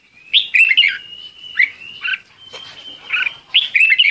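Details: Red-whiskered bulbul calling its flock: lively warbled notes in short bursts, separated by quieter chirps, over a continuous thin high whistle running through the recording.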